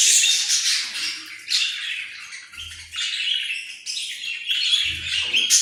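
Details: Australian parrot giving a run of high, scratchy chirps and warbled squawks. The notes blur together with brief pauses, and there are faint low thumps near the middle and end.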